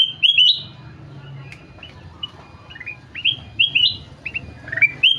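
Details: Golden-fronted leafbird in full song: bright, high whistled phrases with quick upward slurs, delivered in bursts separated by short pauses, over a faint low hum.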